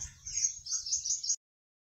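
A Wambi sings a thin, very high, hissing trill for just over a second, then stops abruptly; a faint low rumble sits underneath.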